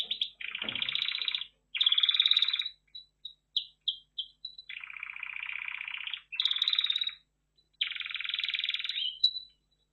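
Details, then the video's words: Red factor canary delivering alternating tours: low buzzy rolls and higher bright trills, separated by short gaps and isolated clipped notes. "Red Factor Canary Finch Singing Exhibition"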